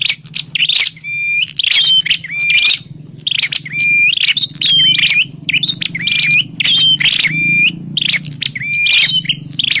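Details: Prinia, locally called prenjak klawu, in a recording meant to lure birds for trapping; rapid buzzy rattles alternate with thin level whistles, delivered in a steady run of roughly a dozen phrases over a soft background drone.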